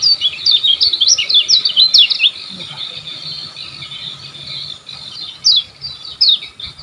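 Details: Olive-backed sunbird, kecial kuning, singing for training caged birds: rapid zigzagging high twittering phrases for two seconds, then sparse sharp descending high notes over a faint background hum.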